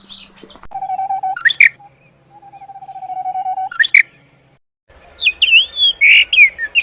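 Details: Birdsong on a morning: steady whistled notes held for about a second each, followed by quick high chirps and a run of rapid twittering, with a faint low hum underneath.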